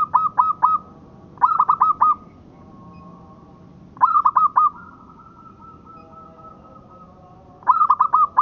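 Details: Local Indonesian zebra dove (perkutut lokal) used as a master song for training birds: loud bubbling trills of four or five rapid notes that end in a drawn-out level coo, repeated in four bursts.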